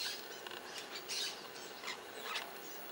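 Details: Cactus parakeet (Eupsittula cactorum) gives harsh, scratchy screeches in short bursts about every half second, over a soft hiss of background noise.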